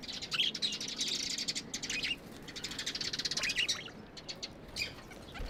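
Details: Pet budgies produce a buzzy, continuous high chatter of scratchy, rapid notes that thins out into a few isolated chirps toward the end.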